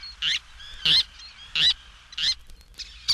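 Least Tern giving harsh, high squeaky calls, short raspy notes repeated about every half second to second, with faint background hiss.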